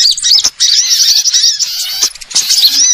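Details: Sunbird calls of all kinds used to lure birds: a crowded burst of shrill, squeaky chirps and quick slurred notes layered together, with two brief gaps and faint crackling clicks.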